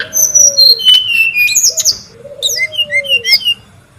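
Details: Noisy Brown-chested jungle flycatcher in the wild, recorded as a lure and tutor sound: high whistled phrases stepping downward and quick chirps, over repeated low, level, drawn-out whistles that fade off at their ends.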